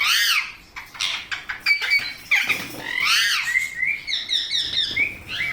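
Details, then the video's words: Parrot calling in a quick series of arched, scratchy chirps and squawks, some rising and falling, others clipped and buzzy, with short gaps between bursts and a steady stream of sharp notes near the end. "Parrot Natural Sounds Compilation | Parrot Sounds |Baby Parrot Sound"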